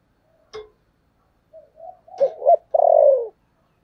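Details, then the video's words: Spotted dove of the 'thổ sấm' voice type giving 'thúc' and calling coos: brief soft notes, then a short rough burst and a long, loud, descending coo that fades out. No other sounds. "Sấm thổ thúc và gáy gọi"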